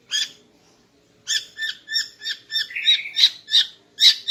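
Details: Morning song of a female greater green leafbird, used to stir a male into breeding mood: one sharp note, a pause, then a steady series of about ten bright chirps, roughly four per second.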